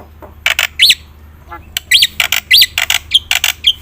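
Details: Black-winged myna singing a varied song used as a lure for quiet birds: scattered harsh chatter interleaved with three sharp rising-falling whistled slurs spaced about a second apart.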